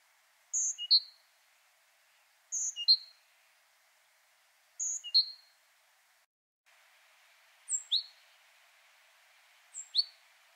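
A great tit repeats a bright two-note phrase, high then lower, about every two seconds. A second variant with a steeply dropping note follows over faint background hiss.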